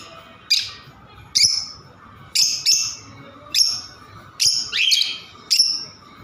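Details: Harsh, high lovebird squawks come in irregular bursts, a few run together, over a faint constant hum.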